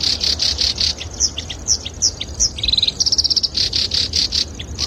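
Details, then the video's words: Song of a black-browed reed warbler serving as a training model for songbirds: jumbled scratchy chatter with quick whistled slurs and a short rapid trill, over a rumbling low background noise. "MASTERAN HANDAL BURUNG KERAKBASI ALIS HITAM"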